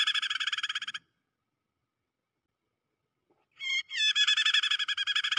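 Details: Prinia trapping lure in the prenjak kejepit style: a fast rattling buzzy chatter, a long quiet gap, then harsh stuttering notes building into another loud, rapidly pulsed buzzy trill.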